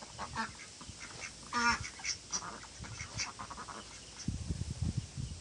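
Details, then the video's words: Ducks giving a run of nasal quacks, one louder harsh call near the middle, then the calling thins out as low rumbling noise takes over toward the end. "Ducks Quacking"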